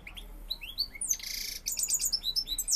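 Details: Male European goldfinch singing while courting a female; fast, high twittering song of chirps, buzzy trills and sharp rising notes packed closely together.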